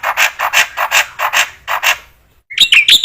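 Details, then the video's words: Black-winged myna, from training material meant to get other mynas singing: a string of harsh, grating, evenly spaced squawks, a brief silence, then sharp high chips and whistles. "MASTERAN BURUNG JALAK PUTIH GACOR"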